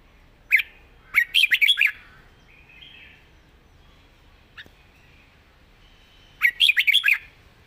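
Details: Red-whiskered bulbul, described as a promising young singer with a nice song style: two rapid chattering phrases of about six notes each, roughly five seconds apart, with a soft whistle between them.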